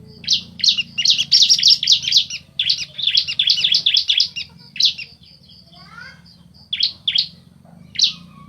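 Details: Male and female bar-winged prinias answering each other with fast strings of harsh, buzzy chirps. The strings thin out to single spaced notes near the end, and a faint, thin, rising call appears midway over a low background hum.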